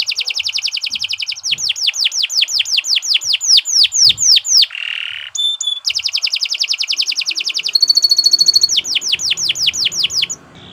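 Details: Long canary song played as a tutor for other birds: fast trills, long runs of steeply descending whistles, a short buzzy burst and several high rapid rattles.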